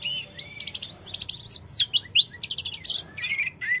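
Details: Sooty-headed bulbul song meant to make newly caught birds respond fast: a dense, varied run of quick high whistles, slurred upward and downward notes and buzzy trills, almost without pause.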